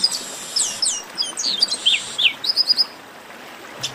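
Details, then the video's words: Chestnut-capped blackbird esquenta: a lively sequence of downward-sweeping whistles rising in intensity, followed by a brisk trill of short notes and a quiet end. "Melhor Esquenta de Garibaldi"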